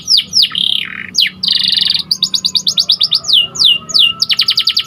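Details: Canary tutor song from a white canary: sweeping downslurs, a loud sustained buzzy roll, then choppy bursts of rapid trills and more descending slurs, all high-pitched and clean.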